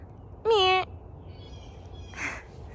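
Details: A Blue Jay near a home on an Earth Day morning gives one loud, harsh, slightly falling call, answered a moment later by a fainter, rougher call from a second bird.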